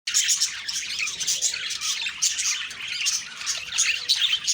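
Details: Budgerigars in the morning, a dense continuous chorus of rapid high chirps, squawks and warbling chatter from many birds at once, with no pauses.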